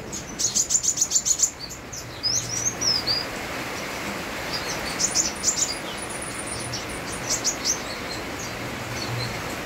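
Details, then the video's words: Sunbird singing energetically against steady rain: a quick run of very high, thin, evenly repeated chirps, then scattered short high twittering phrases and sweeping notes, all over a constant hiss of rainfall. "Kolibri wulung gacor bonus irama hujan"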